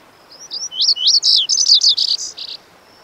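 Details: Lazuli Bunting (Passerina amoena) singing a quick, high-pitched phrase of about two seconds: a tumbling run of varied sweeping, slurred and buzzy notes that grows louder in the middle and ends in short doubled notes, over a faint steady high hiss.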